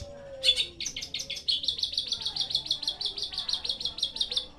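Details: Long-tailed shrike singing: after a short slurred opening, a fast, even chatter of sharp high notes, about five per second, running without pause to the end.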